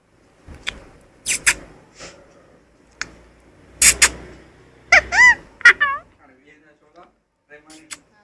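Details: Pet Indian ringneck parakeet, a talking Pakistani parrot, playing with its meal: sharp clicks and bursts of noisy chatter, then a few wavering, rising-and-falling harmonic voiced notes near the middle, with soft scattered squeaks toward the end.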